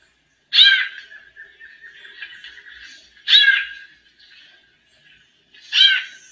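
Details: Female White-necked Thrush acting like a male during a warm-up: three loud harsh harmonic bursts roughly every two and a half seconds, the first followed by a quiet, even, buzzy trill.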